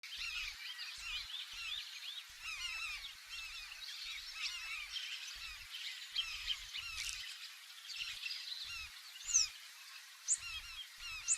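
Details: A dense chorus of Large-billed Terns gives overlapping sharp, nasal, honking calls without pause, recorded from inside a canoe swinging with the waves, with low thumps of waves knocking against the boat.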